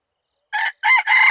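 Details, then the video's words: Crow of a wild red junglefowl, dated 24/02/2019, heard as three loud harsh syllables in quick succession: a clipped opening note, a bending second note and the start of a long drawn-out cry. "Qaib qus qua zoo tshaj qaib dib"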